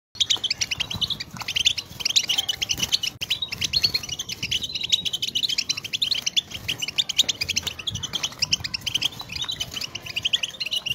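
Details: European goldfinch being stimulated to sing, 2023; a dense, unbroken stream of fast, high tinkling twitters and short buzzy trills runs for the whole stretch, with faint low rumbling underneath.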